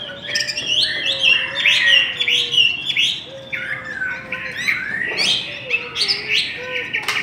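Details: Hwamei in a singing duel delivering rapid, jumbled whistled notes and warbles, quickly repeated and changing, over a faint low sustained hum that comes and goes.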